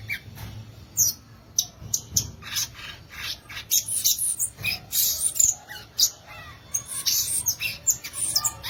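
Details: Violaceous euphonia singing a dense, fast run of high chips, buzzes and twittering notes, packed closely together with brief pauses and a few sharp downslurred whistles.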